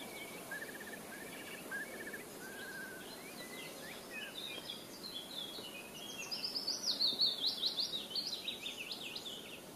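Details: White wagtail at Ahsewiesen observation tower, Lippetal, Germany, 6 June 2015, gives quick, sharp, high chirping notes in a rapid run, loudest near the end; fainter bird calls earlier over a steady background hiss.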